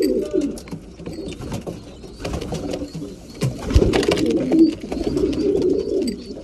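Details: Many breeding pigeons coo together at feeding time, a low murmuring mass of calls broken by knocks and flapping sounds.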